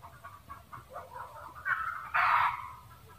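A red junglefowl cackles in a run of short clucking notes that build to a loud, harsh squawk near the end.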